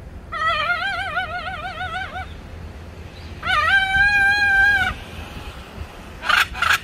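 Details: A pet blue-and-yellow macaw teasing its owner at home gives two drawn-out, wavering, howl-like tones, the second rising then holding steady, followed by two short raspy squawks.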